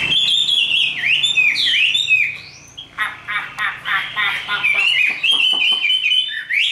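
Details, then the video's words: Caged Chinese hwamei, a hand-raised bird, singing fighting song: sweeping whistled phrases around 2–4k, then a run of rapid rhythmic pulsed notes, then sustained warbling. "Họa mi số 1120 Chim thuần 100% sách tay hót đấu đá rất tốt"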